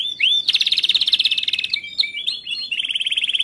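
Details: Canary training song from a Timbrado canary: dense rolling trill of rapid pulses, a short break with flat whistled notes, then another fast steady trill.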